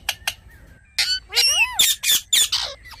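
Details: Ringneck parrot mixing harsh, high squawks with a few wavering, speech-like tones that sweep up and down, delivered in quick bursts over about three seconds.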